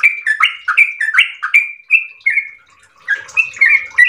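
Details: Yellow-vented bulbul in full 'ropel' song, a fast melodious run of liquid warbled notes. A drawn-out whistle at mid-clip is followed by a brief pause, then the rapid chatter resumes more softly.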